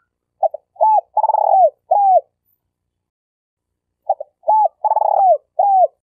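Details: Spotted dove (tekukur) denak lure bird for trapping, Malaysia: a full coo phrase of quick double notes, arched coo, long rolling trill and falling coo, repeated identically after a two-second pause.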